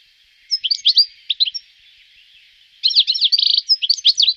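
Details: Goldfinch song in Wittlich, 2018: a few scattered liquid chirps, then a lively rush of twittering with a short, fast-repeated run of identical notes. The background is otherwise quiet.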